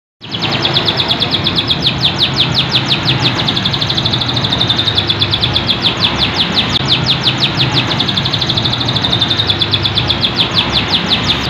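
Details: An AF canary in full song with a sharp voice sings continuously in fast, high, sharp trills and rolls, the notes repeating several times a second over a steady hiss of background noise.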